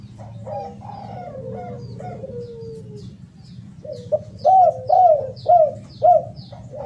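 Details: Cooing of a spotted dove: quiet low coos ending in a long descending note, then a louder series of four arched, rising-and-falling coos at a steady two-per-second pace. High chirps from another small bird repeat throughout.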